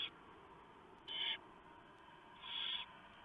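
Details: Barn owls at a nest with a live camera at 3:59 AM on 3 November 2015, as the male delivers a huge mouse and the female shreds it for the owlets. Two harsh, hissing bursts about a second apart, the second longer, over a steady hum.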